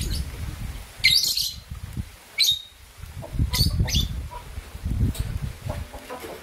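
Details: Two green violin lovebirds heard in the morning: piercing, high chirps repeated every second or so, with low thumping and rustling noises underneath.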